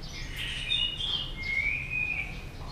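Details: White-rumped shama being stimulated to fight-sing, tail flicking. Clear whistled phrases: a wavering high note early, then a long, slightly rising whistle held for about a second, over a steady low rumble of background noise.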